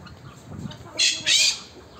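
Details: A pheasant in a zoo enclosure gives two loud, harsh, rasping bursts in quick succession, each about a quarter second long; faint murmuring voices come just before.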